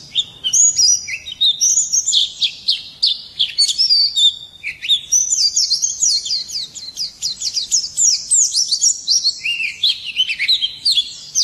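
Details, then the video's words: A white-eye sings at dawn hours, pouring out a bright, rapid, high-pitched jumble of chirps and slurred whistles in two long bursts separated by a brief gap. "Nghe chim khuyên hót hay mỗi sáng"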